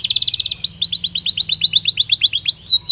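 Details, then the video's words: Belgian canary singing naturally, a fast run of bright notes gives way to a steady series of short rising whistles, about six per second, ending in two sharp swooping notes. "Som de 1 Hora com Canario Belga Cantando Naturalmente"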